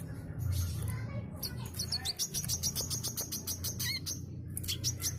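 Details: A sooty-headed bulbul sings in the 'gacor mbeset' style, used to lure other birds. Soft notes open the clip, then a dense burst of sharp, high ticking chirps with a few hooked lower notes follows. Low steady hum underneath.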